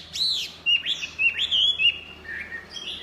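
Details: Chinese hwamei giving clear, loud arched whistles, several swooping notes rising and falling in quick sequence, then a softer trailing phrase.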